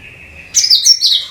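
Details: Cucak kinoi (bulbul) song, used to lure all kinds of birds: a thin steady whistle gives way to a loud, quick, high phrase of twittering notes lasting under a second.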